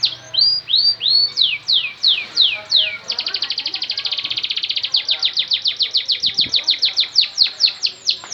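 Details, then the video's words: Canary singing as a lure to spur a reluctant canary into song; loud downslurred whistles, then a rapid rattling trill, then more rhythmic sweeping notes, over a low background hum. "Pancingan Kenari Males bunyi jadi gacor"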